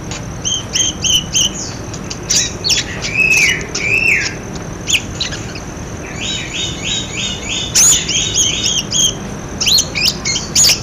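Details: Budgerigar calls played to prompt silent budgerigars into calling: bright chirps and warbling notes, several stacked buzzy phrases near the middle, with short sharp clicks scattered throughout.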